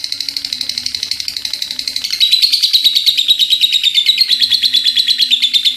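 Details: Lovebird keeping up a long chattering run, a quick rattling series of shrill notes that starts softer and becomes louder and fuller after a couple of seconds.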